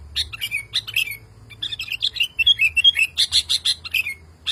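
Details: Male sooty-headed bulbul, excited by other bulbuls, calls a female with busy, chattering high chirps and a rolling sequence of slurred, bubbling notes, ending in a rapid loud burst.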